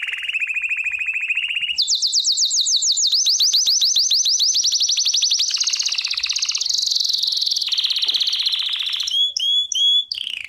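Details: ['Belgian canary training song: a low rattling roll, a quick sweeping trill, a long high buzzy tour that wavers, then several looping whistled notes near the end.']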